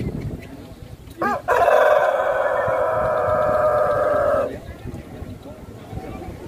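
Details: Pelung rooster crowing at a contest held at a durian agritourism site in Karangrau village, Banyumas: a short stuttered start, then one loud, rich, sustained crow lasting about three seconds before cutting off, with background chatter.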